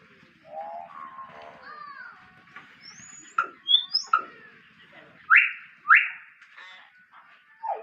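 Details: Common hill myna giving a varied string of clear whistles, including quick upslurs and downslurs, then two loud, sharp rising whistles in a row, with softer chatter between them.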